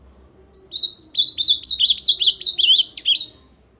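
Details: Ultramarine grosbeak from Paraná singing a loud, rich warbled phrase of quick slurred notes that wobble up and down and drift lower toward the end, about two and a half seconds long, in a quiet setting.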